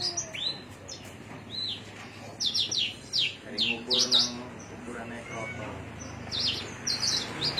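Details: Javan myna in Cilacap singing with rising whistles and rapid clusters of sharp, high chirps, interrupted midway by low human voices, then more chirp bursts toward the end.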